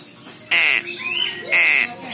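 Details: Juvenile crow, said to be very smart, calling twice with loud, buzzy, level squawks about one second apart, a softer slurred note between them.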